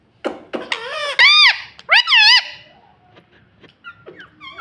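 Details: Pet rose-ringed parakeet mimicking speech in a run of loud, bouncy, arching syllables with rich harmonics. Softer chatter and short, high, wavering notes fade out afterwards.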